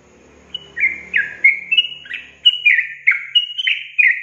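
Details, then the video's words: Lure song of yellow-vented bulbul played to get reluctant caged young birds singing: after a brief low murmur, a quick series of clear, slurred whistled notes that step up and down in pitch. "Pancingan Trucukan SUSAH BUNYI, BAKALAN dijamin dalam menit saja langsung NYAUT GACOR"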